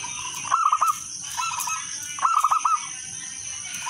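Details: Lure song of a local zebra dove: crisp, rippling coos in short bursts of four or five notes. Two strong phrases with a softer one between them. Other doves answer faintly, and a steady shrill hum persists.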